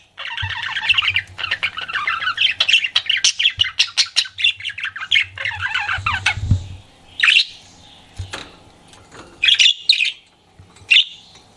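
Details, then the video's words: Pet budgerigar flirting with a long burst of scratchy, squeaky chatter for about six seconds, then quieter pauses broken by three or four loud, harsh squawky chirps. "CUTE PET BUDGIE FLIRTING"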